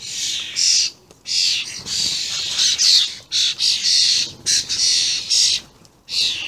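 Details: Common starlings, juveniles with adults, very vocal on 28/05/16. Loud rasping, hissing squawks run in long and short bursts, almost continuous, with brief silent breaks.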